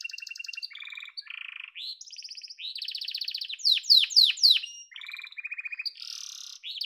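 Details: A yellow canary sings a varied song: short buzzy rolls at changing pitches, then a burst of loud, sharply falling swept notes around the middle, followed by more even trilled tours.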